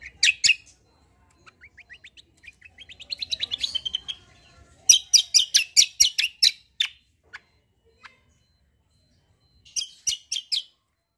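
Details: White-eye 'kombo' song, a lively 'fighter' bird for training other songbirds: loud chirps, an accelerating series of thin notes, then long runs of loud sharp chirps repeated rapidly, pausing between bursts.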